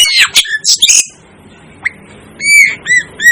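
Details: Asian glossy starling (cucak keling): a cluster of harsh, buzzy squawks, a lone sharp flick, then three clear ringing whistled notes, each dipping slightly in pitch.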